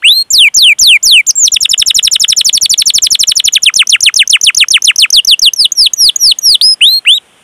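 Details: Long canary song used as a lure to train young or silent canaries: opens with separate falling chirps, then a fast even trill of rapidly repeated high notes, ending in spaced sweeping downward whistles.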